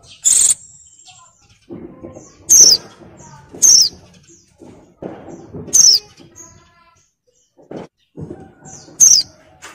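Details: Oriental white-eye female in breeding condition calling out to lure a male. Several high, thin, falling notes come at irregular intervals of one to three seconds, mixed with a few noisy bursts and faint low rustling.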